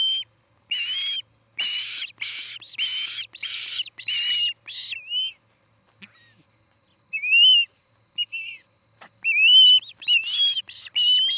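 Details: Osprey calling at a pair's nest in Charlo, Montana, recorded by nest camera in the evening of 17 August 2018: loud series of piercing whistled notes, some upslurred, in bursts separated by short pauses.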